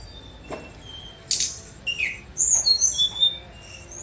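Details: Brief Sunda robin (tledekan gunung) phrase: a faint thin whistle, a harsh buzzy burst, then a falling slur and a run of high pure whistled notes.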